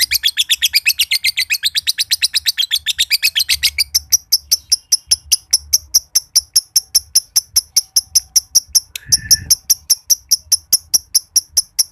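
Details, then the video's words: Green josan lovebird from Mojokerto, a competition bird, in a long ngekek trill: dense, fast, high chattering for about four seconds, then a steady series of sharp ticking notes several per second, with a brief lower squawk near the end. "LOVEBIRD JOSAN NGEKEK PANJANG BIKIN BURUNG IKUTAN NGEKEK"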